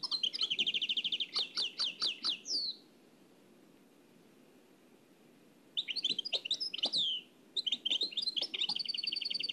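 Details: From an old cassette, a nightingale sings Oued El Alleug style phrases: quick repeated trills and staccato notes, a drawn-out falling slur, a three-second silence, then more rapid trilled phrases.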